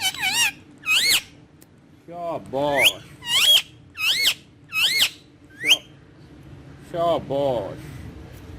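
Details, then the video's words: Pet ringneck green parrot perched on a wall, speaking in Urdu or Hindi: a series of squeaky, shrill mimicked word-like phrases with rising and falling sweeps, in short bursts about once a second. "Talking Parrot Speaking On Wall In Urdu Hindi"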